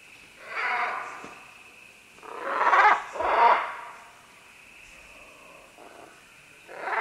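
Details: Several green-winged macaws calling as they climb down along vines: harsh, raspy squawks, one near the start and a louder close pair midway, then another at the end, over a steady high background hum.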